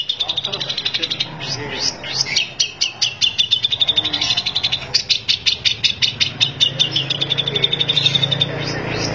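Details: Long-tailed shrike song used as a lure to set silent shrikes singing: long runs of sharp, high, evenly repeated chipping notes, several per second, with scratchy warbled phrases between them and a soft low hum underneath.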